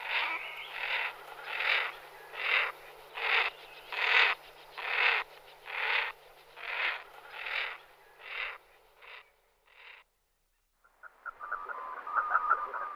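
Common merganser giving a series of harsh, rasping croaks, a little over one per second, fading out; a brief higher chattering sound follows.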